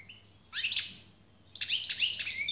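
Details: European goldfinch song in two short bursts: a tinkling twittered phrase, a second's pause, then a brighter run of chirps and a thin sustained whistle, over a faint low hum.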